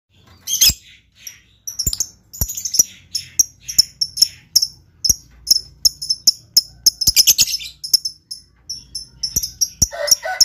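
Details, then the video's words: Lovebird chattering in short bursts of shrill, high chirps and squeaks, with sharp clicking ticks scattered throughout and a rapid, dense flurry of chirps near the middle. "LOVEBIRD GAYA MEWAH. SEKALI BUNYi LANGSUNG YAUT.."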